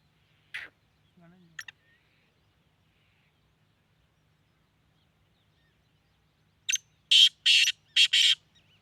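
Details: Black francolin from Sindh, Pakistan, giving two brief harsh notes and a faint low cluck, then after a long pause a loud grating phrase of four rasping, buzzy syllables, ending with a soft trailing note.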